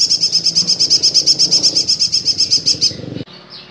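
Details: Vocal male golden-bellied gerygone delivering a rapid, very high trill of evenly spaced piercing notes, about eight per second, for three seconds before stopping abruptly; faint low rumble beneath.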